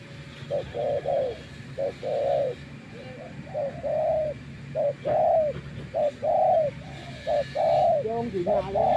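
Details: Spotted dove, a decoy after many days in natural surroundings, delivers a long series of soft, low coos in short-long pairs at an even pace, with a faint voice near the close.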